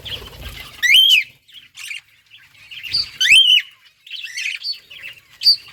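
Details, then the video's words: Budgerigars at a breeding colony give clear, loud calls that rise and fall in an arched whistle, repeated about every two seconds, with softer chirps and a rising squeak between them. "Budgies breeding progress and chirping sounds"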